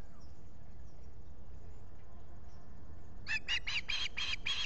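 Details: Osprey at a Finger Lakes nest on a July 2021 morning, with a visitor present. After about three seconds of quiet outdoor background, six sharp chirping notes burst out in fast succession.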